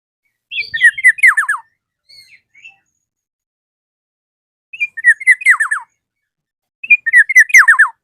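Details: Black-naped oriole calling a rival, repeating one phrase three times at irregular intervals: a few whistled notes, then a quick cascade of four falling slurred whistles. A faint soft chirp comes between the first two phrases.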